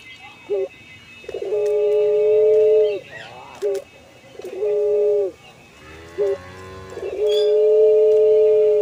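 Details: Captive puter pelung collared dove, an ornamental bird valued for its long, flowing song: three long level coos separated by short wavering notes, each coo held steady for over a second.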